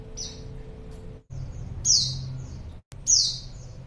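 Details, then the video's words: Female white-eye calling to lure a male: a soft high note, then two louder, thin, downward-slurring calls, sharp at onset and fading, with low rumbling noise underneath. "pleci betina#buat pancingan pleci jantan"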